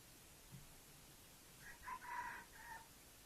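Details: Red junglefowl kept as a sweet-voiced decoy bird for luring wild junglefowl gives a short crow in four stepped parts, the loud middle note drawn out, over steady background hiss.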